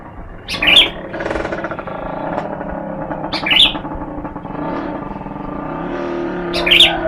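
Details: Sooty-headed bulbul on a sunning session as a lure bird, giving short, sharp, liquid chirping phrases about every three seconds against steady engine and traffic rumble.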